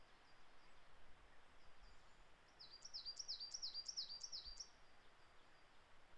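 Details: Coal tit singing in April in Japan: a clear, high-pitched series of about six swinging two-note phrases, each a quick up-and-down whistle, delivered in two seconds after faint softer notes, against a quiet background.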